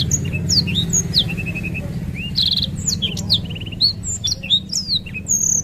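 A black-throated canary sings a fast, continuous jumble of high whistles, slurred notes and quick trills, over a steady low hum in the background.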